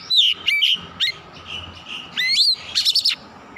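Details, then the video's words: Heated oriental magpie-robin (kacer) in full song, running through its repertoire: loud whistled notes, some held steady and some swooping up, with a few dense, buzzy chattering bursts between them. "KACER GACOR MEMANAS NAIK EMOSI BONGKAR ISIAN"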